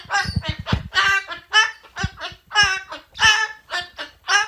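An umbrella cockatoo repeats a raspy, speech-like phrase, "good bird," in quick hoarse bursts of several syllables, with uneven pauses between them.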